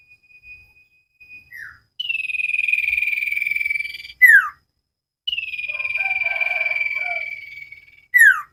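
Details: Common iora singing repeatedly for cage-bird training: two long trilled whistles, each gliding slightly downward and closed by a sharp falling slurred note, with soft warbles between.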